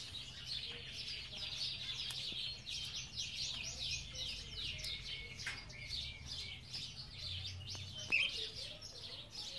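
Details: Many Belgian canaries singing in an aviary, a steady stream of fast, sweeping high chirps repeated in quick succession, a sustained whistled tone midway, and a short loud chirp near the end.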